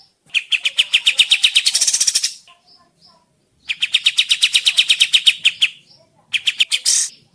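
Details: Sooty-headed bulbul, called Kapas Tembak, on a lure to get birds to answer and sing: three bouts of quick, bright chirp series separated by short gaps, the last ending in a harsh note.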